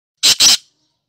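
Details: Black francolin, called Sindhi kala tetar, giving two harsh, rasping bursts in quick succession, each about a tenth of a second, high-pitched and noisy, then silence.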